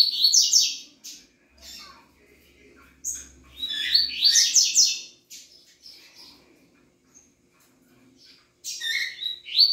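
A Double-collared seedeater sings in bright, buzzy bursts of fast high trills and twittering notes, pausing between phrases; faint low hum beneath.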